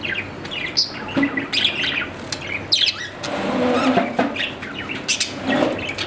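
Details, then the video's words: Budgerigar kept as a pet, with scattered quick chirps and squeaky warbles interrupted by a broad, noisy rustle in the middle. The calls come in loose bursts rather than a steady rhythm. "My Australian parrot | Budgerigar"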